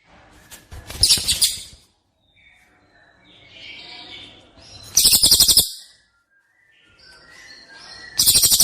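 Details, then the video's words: White-rumped shama training recording of "shot" fill-in phrases: loud, harsh, rapidly pulsed rattling bursts about four seconds apart. Softer warbled notes and faint chirps fill the gaps between them. "Isian tembakan burung murai batu | download mp3 masteran kicau burung murai batu"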